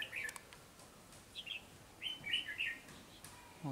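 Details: Wild red-whiskered bulbul, an eager singer, during trapping: short warbled, bubbly phrases, one burst near the start and a louder run of three or four rolling notes after two seconds, with faint clicks and quiet background.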